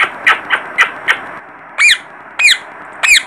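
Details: Young parrot calling: four short harsh squawks about a quarter-second apart, then three louder, longer squawks with a bent, rising-then-falling shape, spaced roughly half a second apart.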